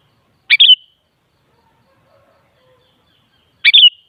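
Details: Sooty-headed bulbul, used to get a kutilang to answer and sing: two matching short chirpy phrases roughly three seconds apart, each a quick double note with a warbled end, quiet in between.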